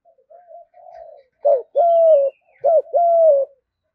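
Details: Cooing spotted dove, 'thúc gù' style, said to bring wild doves fast to the fighting spot. Faint soft coos open the clip, then two loud phrases, each a brief arched note followed by a held, slightly falling coo.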